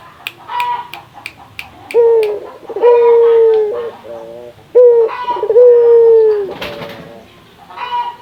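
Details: Local spotted dove calling to encourage other doves to call: a few soft clicks, then deep hollow coos in two phrases, each closing on a long steady note, with a short harsh noise near the end.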